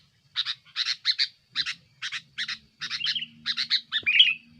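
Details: Lively, aggressive sooty-headed bulbul song, used to press rivals and as a lure: clipped chattering notes grouped in twos and threes, a brief slurred whistle midway and a louder buzzy flourish at the end, soft low hum behind.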